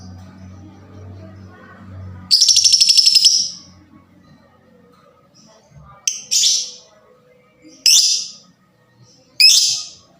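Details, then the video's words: Lovebird fighter voice, used to provoke other lovebirds into calling: a rapid harsh buzzy burst near 2.3 seconds, then three shorter shrill rasping calls spaced about 1.5 seconds apart, with a low hum early on. "LOVEBIRD FIGHTER SUARANYA CEPAT BIKIN EMOSI DAN JITU MERANGSANG BUNYI SEMUA JENIS LOVEBIRD"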